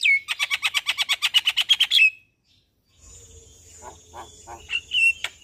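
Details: Javan myna in lively morning song, nodding its head, recorded for training caged birds: a quick run of about fourteen rapid chattering notes over two seconds, a pause, then soft clicks and short whistled notes.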